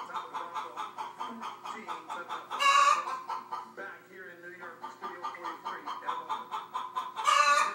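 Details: Chicken clucks in quick rhythmic series with two loud, harsh squawks, one early and one at the end; the clucking briefly gives way to a softer, different murmuring sound in between.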